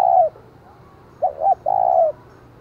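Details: A captive decoy spotted dove calls loudly to provoke wild doves. The tail of one long coo is followed by a full phrase of two short notes and a sustained, slightly falling coo.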